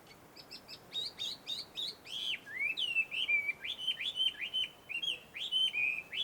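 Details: Chinese hwamei heard in the wild in woodland at a Tenmangu shrine, Joso, Ibaraki, Japan. Chattery, jumbled notes build into a quick chain of rising and falling whistles, almost three per second.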